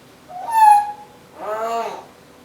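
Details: A female pet timneh African grey parrot gives a steady, clear whistle followed by a rising-then-falling, word-like sound: two short utterances with a pause between.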